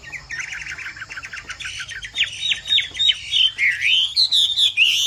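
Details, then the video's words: Bộ Tam Hoàng Chinese hwamei song, described as pattering like rain. It starts with quiet chattering notes, then becomes loud, fluid, looping whistles that rise and fall, growing more varied and intense toward the end. "Hoạ Mi Bộ Tam Hoàng Giọng Hót Rả Rích Như Tiếng Mưa Nghe Thư Giãn/ Tiếng chim hoạ mi hót giọng hay"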